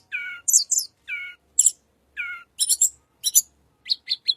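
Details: Little pied flycatcher, a voice used as a lure for white-rumped shama. Three low, buzzy notes alternate with pairs of very high, sharp chirps in a quick back-and-forth pattern. Three quick high ticks close the phrase. Clean recording.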